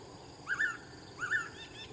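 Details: Blue-winged pitta giving a two-part whistled call twice, the pair of clear notes slurring upward then leveling off, repeated after roughly 0.75 seconds over a constant high, thin background hiss.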